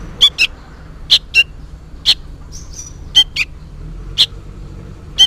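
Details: Sooty-headed bulbul youngster calling insistently for its parent: harsh double chirps, high then lower, about five groups in five seconds, with one brief faint whistle between.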